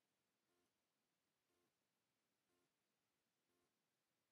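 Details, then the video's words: A common raven in the Eifel, Germany, gives four short, hoarse, low croaks, evenly spaced about a second apart, faint against a quiet background hiss. "Raven, Kolkrabe"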